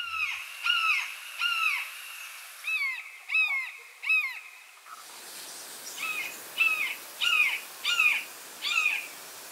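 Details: Young Red-shouldered Hawks, three fledglings newly out of the nest, at a New England beaver pond in mid-summer: loud, down-slurred 'kee-ah' screams about every half second; a steady rushing hiss rises in the second half.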